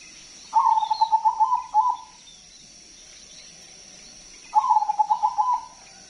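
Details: Crossbred zebra dove, a loud, frequent singer with a big voice, kept as a lure bird for other doves: two long, fast-pulsed, rolling coo phrases about four seconds apart, each ending in a short separate note.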